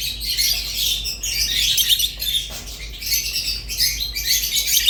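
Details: Rosy-faced and Fischer's lovebirds give bursts of squeaky, high chatter and chirps separated by short, quieter gaps, with a low hum in the background.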